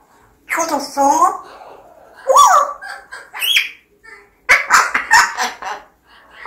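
A grey parrot mimics speech in bursts of voice-like syllables, with a rising, whistled note between them. It is indoors, in a small room.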